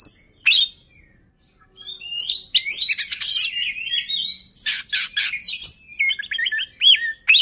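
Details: Oriental magpie-robin song played to stir other magpie-robins into singing: varied high whistles, rising and falling slurred notes and harsh scratchy bursts, opening with a brief pause, then a busy run of twisting phrases.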